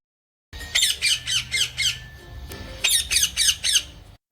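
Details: Parrot squawking: two bursts of five to six sharp, shrill screeches each, about four per second, separated by a short quieter pause.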